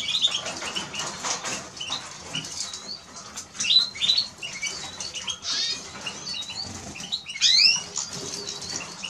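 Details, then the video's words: Eurasian siskin song: a busy, high twittering of short chirps and quick upslurred, wheezy notes, bursting in irregular phrases over a steady background hiss. "Eurasian siskin Song -Spinus Spinus -Scatiu"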